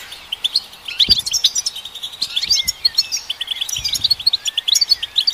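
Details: European goldfinch song to stimulate goldfinches, a busy twittering of clipped high notes and brief trills gathering into a quick tinkling run, with a few faint low knocks.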